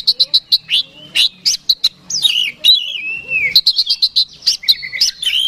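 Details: Oriental magpie-robin singing to provoke a rival bird: a run of evenly spaced sharp chips, then long sliding whistles and a falling warble, before more quick chips and rising whistles.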